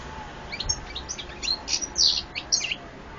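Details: European goldfinch song recorded in 2014: a continuous liquid twitter of rapid high chirps and buzzy trills, notes tumbling almost twice a second, with louder rasping bursts toward the end over a faint hiss.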